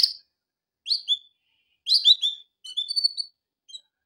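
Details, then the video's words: Training song of a male canary in broken phrases: quick chirps and short warbled notes separated by short gaps. "کنری مست برای آموزش/کنری واتر/کناری نر#kenari / آواز خواندن کنری/قناری/کناری canary best"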